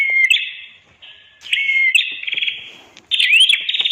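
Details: Red-headed prenjak (prinia) song used as a master recording to train birds that have stopped singing: piercing whistles and grating, rattling trills in separate bursts, with short quiet gaps and one rising whistled note near the end.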